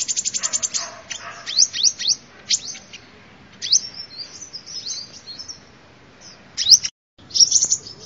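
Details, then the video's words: Sunbird song used for luring: a fast opening trill, then separate high sweeping chirps and short twitters spaced over several seconds, with a brief silent gap near the end. "tiếng chim hút mật làm mồi chuẩn"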